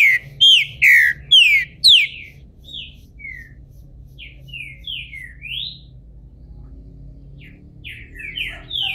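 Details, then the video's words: Captive Green-winged Saltator from Brazil, balding and emerging from moult, opens with four loud falling whistles, then a softer string of short slurred notes, some rising, some falling, with gaps between. "Trinca ferro careca, saindo de muda!!"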